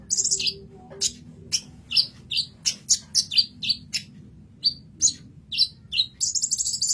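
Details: Sunbird, known as kolibri ninja, in masteran song for training other songbirds; rapid sequence of piercing high chips and brief trills, uneven spacing, ending in a dense twittering burst, low hum behind.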